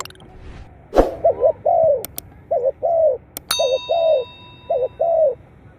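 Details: Spotted dove calling, played back to stimulate captive birds. Mellow, low coos come in short-long pairs, repeated four times, with a few sharp clicks and a brief ringing tone partway through.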